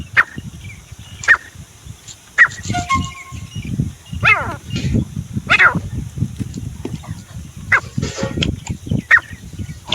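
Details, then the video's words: Grey francolin (desi teetar), recorded as a hunting call, giving sharp, loud notes about once a second, some rising and falling harshly, over a low rumble of wind or handling noise. "Desi teetar // sounds teetar awaaz"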